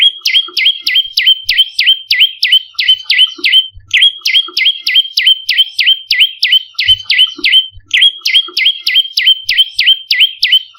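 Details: Olive-backed tailorbird lure song for attracting and training birds: long, continuous rapid series of loud sharp notes with overlapping echoes, delivered about three per second throughout.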